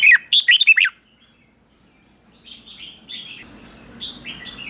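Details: Red-whiskered bulbul used as a decoy to draw wild bulbuls. A brief loud cluster of quick warbled whistles, followed by softer, more distant whistled notes that fade in and out.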